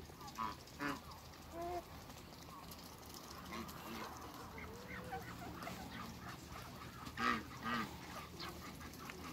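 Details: African geese, three birds met on a waterbird farm in Greece. Nasal honks with stacked harmonics come in scattered pairs, loudest near the start and again toward the end, over steady background noise.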